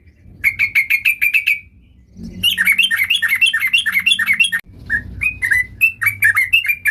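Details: Sooty-headed bulbul in energetic, highly varied song: a quick run of even chirps, then dense rolling bubbly warbles, then separate slurred whistled notes, with a faint low hum beneath.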